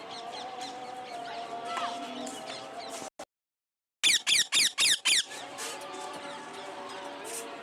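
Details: Parrot calling. After a brief silence, a quick run of about six harsh, squeaky calls comes roughly every fifth of a second, then stops. Steady humming background noise with tonal lines runs throughout.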